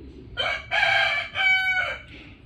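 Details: Rooster crowing loudly: a harsh, harmonically rich crow broken into several stretched syllables, rising then trailing off over about two seconds, against quiet background.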